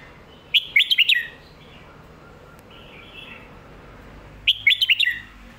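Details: Red-whiskered bulbul lak wai / mae bot song: a quick burst of five slurred whistled notes, a soft murmured phrase, then the same burst repeated, over a light hiss.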